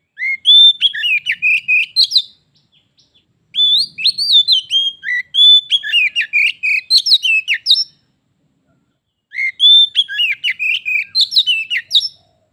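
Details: Singing contest between a pet Oriental magpie-robin and a wild one that approached it, turning into a fight: four loud phrases of whistles and fast chattering trills, each two to four seconds long, with gaps between.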